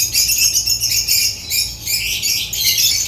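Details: Shrill, continuous twittering from African lovebirds, high buzzy squeaks pulsing several times a second without a real pause.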